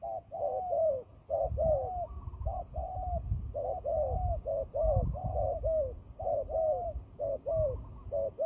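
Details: Rapid, nearly continuous low cooing from fighting turtle doves, a trapping call, with overlapping falling notes and a soft low rumble beneath.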